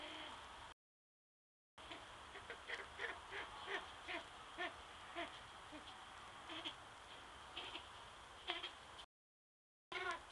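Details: A captive-bred Cabot's tragopan in Belgium gives a series of short, nasal, bleat-like notes, roughly two a second, over a steady high hiss.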